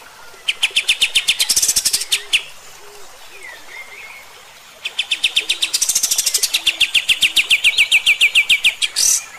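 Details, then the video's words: Kapas tembak song used to tutor other birds: two long bursts of rapid, staccato, chattering notes in quick succession, separated by a quieter pause with a short thin slurred whistle and low soft calls in the background. "suara KAPAS TEMBAK ini Cocok buat masteran MB bahan anda & 100% AKAN NEMBAK JUGA"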